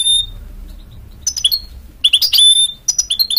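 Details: A goldfinch-canary mule sings a high sustained whistle, a pause, then sharp chirps and slurred notes. These build into a quick jumble of whistled phrases, over a faint low hum.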